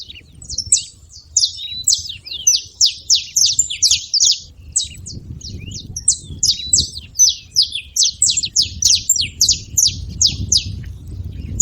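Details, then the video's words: Saffron finches, several birds calling at once; dense high chirps and quick descending notes in bursts, nearly continuous over about twelve seconds, with low background rumble and noise beneath. "canários da terra fazendo barulho"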